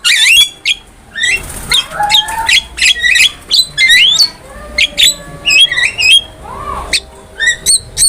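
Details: Black-winged myna used as a master recording for training cage birds, giving a string of harsh squawks and short upslurred whistles in irregular bursts, with a low background hum.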